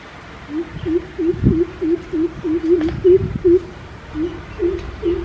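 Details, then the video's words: A greater coucal gives a long run of deep, hollow hoots, about a dozen evenly spaced notes at roughly three per second, with faint low thumps in the background. "Greater coucal sound"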